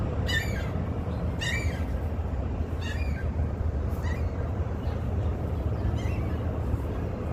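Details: Goose begging for food near Union Station in Chicago, USA, during lockdown, giving five harsh nasal honks spaced about a second apart, the last ones fainter, over loud steady city traffic rumble.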